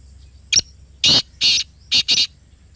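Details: Black partridge heard at close range in Pakistan: a short sharp note, then four loud grating, buzzy bursts, the last two closely paired, against faint background hiss.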